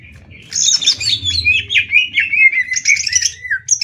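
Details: Cucak ijo, or greater green leafbird, competing in a Banyuwangi versus Kalimantan 'adu tembak ngetrek' contest: fast chattering run of bright whistles sliding downward, followed by sharp high bursts, over a quiet low rumble.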